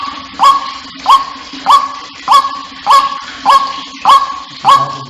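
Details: Lure recording of a white-breasted waterhen: a steady series of loud, hooked croaking notes, each upturned at the start, evenly repeated about every 0.6 seconds over a faint low hum.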